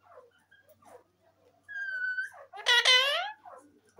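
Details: A green Indian ringneck parakeet gives a steady whistled note, then a loud, harsh, wavering squawk.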